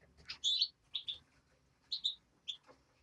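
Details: Nestling European greenfinch calling in short pairs of high, sharp chirps, about four separated groups over a few seconds, with faint low background rumble.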